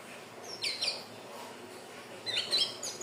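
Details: Hill blue flycatcher, a recording used as a bird lure: two short bursts of quick, high, jumbled warbling notes about two seconds apart.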